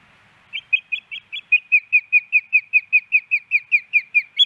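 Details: Osprey female at her Hellgate Canyon nest in Missoula, Montana, September 10, 2018, still pleading for fish the male withholds. A long unbroken string of some twenty piercing whistled chirps, roughly five per second, steady and loud throughout.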